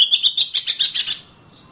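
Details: Singing oriental magpie-robin, known as kacer, delivering a rapid series of about ten short, ringing whistled notes that rise slightly and stop abruptly, followed by near silence.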